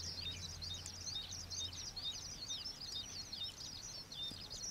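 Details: Thin, high, quickly repeated chips and short downslurred squeaks from young common waxbills, introduced escapees, in wetland near the old iron bridge, Pingtung, Taiwan; a low droning hum runs underneath.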